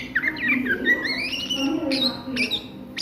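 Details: An Oriental magpie-robin at midday sings a long rising, wavering whistle in ngriwik style, followed by a few short sharp notes, with low hum behind.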